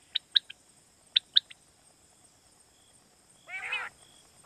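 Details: Quail call from Pakistan, used to lure quail for night hunting: two quick sets of three sharp high notes about a second apart, then a harsher rasping burst and another starting at the end.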